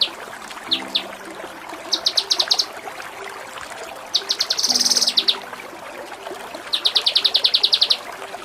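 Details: Kinoi training song in the tembak style: scattered sharp chirps, then short fast trills, a harsh buzzing rattle and a final rapid chattering burst, over faint background noise.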